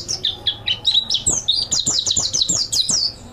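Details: High, rapid twittering from a mountain white-eye used as master song: clipped chirps at first, then a tight sequence of swooping notes about four a second, with faint lower clicks beneath.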